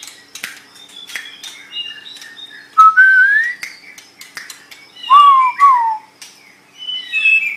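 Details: Caged white-rumped shama delivering a slow, varied song with loud clear rising and falling whistles separated by pauses, interspersed with soft scratchy notes and clicks.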